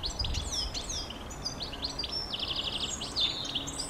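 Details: High, continuous twitter of the European goldfinch: quick slurred and buzzy notes run together, over a steady low background hiss.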